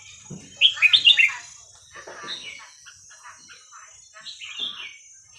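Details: Red-whiskered bulbul song in the 'hua krok khayao khuat' style, used for teaching young birds: a rapid burst of five bright, bubbly whistled notes, then softer chatter and a second, shorter liquid phrase, over a constant high hiss.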